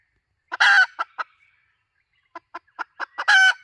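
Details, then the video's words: Hen call for luring: starts with a loud, harsh, drawn squawk and a couple of trailing clucks. Silence follows, then a new run of quickening clucks rises into another drawn squawk. "Suab poj qaib tsauj dib tuaj zoo 2023-2024. เสียงไก่ตัวแม่ต่อเข้าดี."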